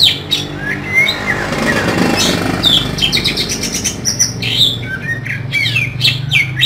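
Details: Oriental magpie-robin song with harsh fill-in notes: scattered thin whistles and scratchy bursts over a steady low rumble, the phrases more spaced and softer than the background hum.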